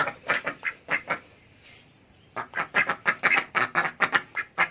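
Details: Adult duck asking for food: rapid harsh quacks in bursts, about two per second, with a brief quiet gap near the middle before the quacking resumes.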